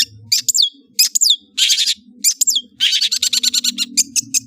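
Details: Long-tailed shrike chattering song of mixed phrases: high slurred whistles, a broad harsh rasp, then a rapid stuttering run of scratchy notes over a soft low hum.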